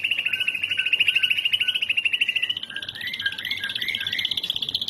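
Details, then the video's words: White-rumped shama song from a masteran training recording for songbirds. A rapid buzzy trill holds near one pitch for about two and a half seconds, then gives way to a lower, warbling series that rises and falls. "masteran terkeren buat murai batu"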